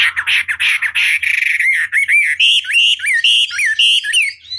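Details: Chinese hwamei song meant to provoke an opponent to reply: opens with rough, noisy bursts, then turns into clear, looping whistled notes repeated about twice a second.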